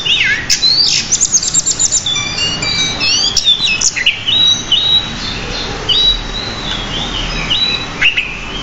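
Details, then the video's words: Pied bushchat (decu) in full lively song for a masteran recording with many varied phrases: rapid descending sweeps and chattering at first, then a run of steady whistled notes that rise and fall. "Masteran Burung Decu Gacor Roll. isian Banyak"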